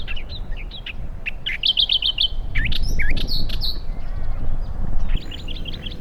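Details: Australian reed warbler (Acrocephalus australis) singing a rich, varied run of repeated whistled and chattering phrases, loud and quick, over low wind rumble, from long grasses and reeds at the water's edge, Morgan Conservation Park lagoons by the River Murray, South Australia.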